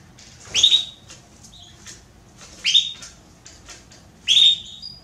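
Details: Female Belgian canary asking for mating with three loud rising whistled calls about two seconds apart, separated by faint chirps.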